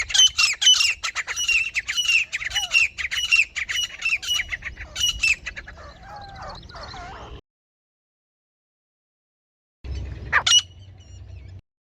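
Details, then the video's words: Female grey francolin (teetar) calling, a hunting lure voice: rapid harsh, scratchy notes repeated in quick bursts for about six seconds, then softer scattered sounds, silence, and one more loud harsh burst near the end. "Female Grey Francolin Hunting Voice"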